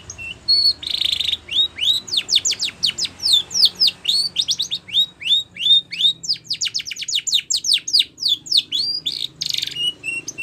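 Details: Canary of the Spanish Timbrado type singing a training song: long rapid chains of steep descending whistles with occasional buzzy trilled bursts and rising slurs, clean background.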